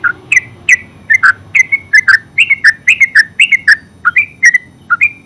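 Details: Yellow-vented bulbul (terucuk) singing a full ngeropel song: a fast, unbroken run of bubbly, liquid chirps, each note sharply inflected, tumbling on without pause for over five seconds, with a quiet low rumble behind.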